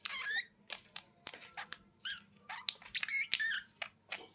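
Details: Indoor budgerigar chatter made of bright warbled notes, clicks and short squeaky chirps in irregular bursts, some notes rising and falling, over a low electrical-sounding hum.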